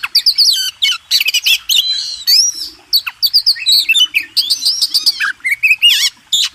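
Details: Master song of the Oriental magpie-robin (kacer) for training contest birds: energetic, varied whistled phrases, sharp clicks and fast trilled notes tumbling together with almost no pause.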